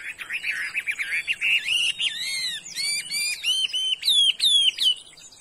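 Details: Good-voiced 'đảo' Chinese hwamei offered for sale, singing a varied run of clear whistles: a buzzy trill first, then looping slurred notes and bright rising-falling whistles repeated near the end.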